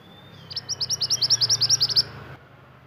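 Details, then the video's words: Pied bushchat, an Indonesian native bird, singing vigorously for tutoring caged birds: a fast, even string of about fourteen sharp high notes over one and a half seconds, with faint low hum beneath. "BURUNG MANTENAN GACOR UNTUK MASTERAN"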